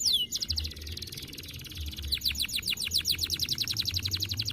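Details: Canary singing 'semelet': a swift falling whistle opens into a rapid high rattle, followed by a long accelerating series of short rising notes in an even rhythm, all over a faint low rumble.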